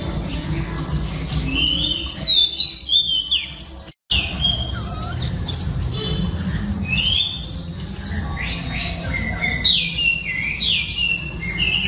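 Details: Female Oriental Magpie Robin singing to stir up males: varied clear whistled phrases, rising and falling slurs and short chirps, loud and fast, with a brief silent break near the middle over a steady low hum.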